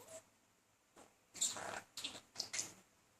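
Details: Male talking budgerigar courting a female at home: a soft chirp, then after a pause several short scratchy, buzzy chatter bursts.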